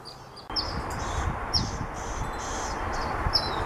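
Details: Black phoebe, a common year-round bird in California, uttering a few crisp high chips and short slurred notes at irregular intervals over a broad wash of outdoor noise.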